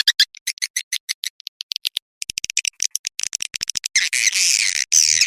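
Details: Swiftlet lure sound, the Manuk Ireng 01 style, used to attract swiftlets to a swiftlet house: sharp high chirps and clicks in uneven bursts, then a dense continuous buzzy chatter over the last second.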